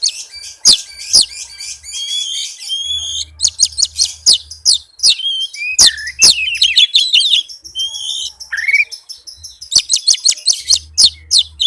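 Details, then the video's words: Oriental magpie-robin in fast, packed song used to lure other magpie-robins into singing: a dense torrent of high chirps, buzzy trills and sweeping whistles, with a lower rising slur midway and quick clicks near the end. "suara Kacer speed rapat cocok buat pancingan kacer yang susah on"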